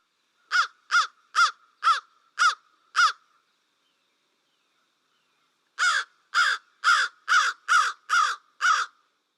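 American crow giving harsh, hoarse caws in two bursts of six and seven, about two per second, separated by a few seconds of silence.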